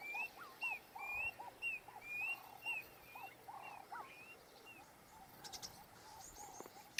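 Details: A male Klaas's cuckoo sitting atop an acacia tree at Ol Pejeta gives its territorial call, a run of high, plaintive whistled notes about one every half second, over lower chattering calls from other birds.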